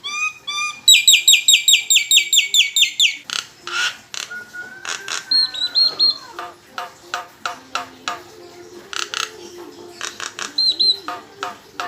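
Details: Nias hill myna kept by a family, singing a lure song meant to draw other birds into singing: a fast run of ringing harmonic whistles, then loud chattering bursts and clear looping whistled notes.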